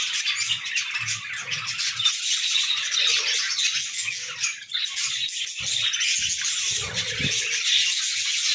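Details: Several pet budgerigars singing in the morning: a dense, unbroken chatter of scratchy, buzzy warbles and clicks, rattling quickly with no pauses, with faint low thumps and knocks beneath.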